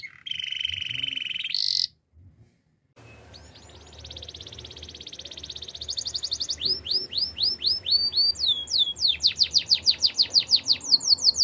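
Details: Canary training song: a low rolling trill and bright whistle, a pause, then a dense high buzzy trill that shifts into rapid repeated downslurred chirps growing louder.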